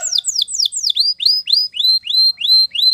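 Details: Spanish Timbrado canary training song: a series of whistled notes that first sweep steeply downward, then turn into repeated upslurred whistles, each about a third of a second apart and evenly spaced, with no other sounds.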